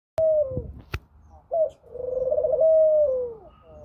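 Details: A Eurasian collared dove gives low, hollow coos: two short notes, then a long drawn-out coo that sags gently in pitch, with a single sharp click.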